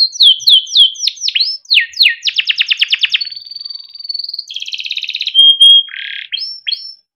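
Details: Yellow canary, a kept bird whose long song serves as a master for young canaries, sings sweeping slurred notes, then a fast rolling trill, a level thin whistle, a buzzy burst and final sweeps.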